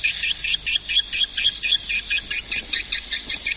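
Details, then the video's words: Loud, high swiftlet chirps repeated in an even, rapid series, a little over two per second, each note bright and slightly buzzy. "suara burung walet"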